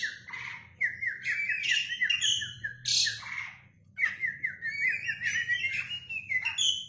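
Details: Oriental magpie-robin singing vigorously while spreading its tail: rapid trilled runs of mid-pitched notes broken by bursts of high, scratchy, whistled phrases, with a low hum in the background.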